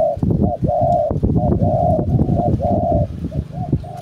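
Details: Household decoy spotted dove giving steady, mid-pitched hollow coos in quick succession, each note flat and sustained. Low thumping and rustling sounds run underneath throughout.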